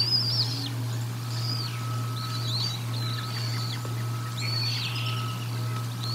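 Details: Bald eagles at the Decorah North nest during feeding, 04 01 2022, give high, thin, slurred chittering calls in short bursts, several phrases rising then dropping, over a steady low electrical hum and faint background noise.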